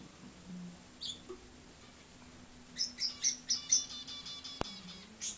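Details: Pet budgerigar in an old 2009 home recording: an early single chirp, then a quick rhythmic burst of five high, squeaky chirps, followed by a sharp click and one more chirp amid faint indoor hum.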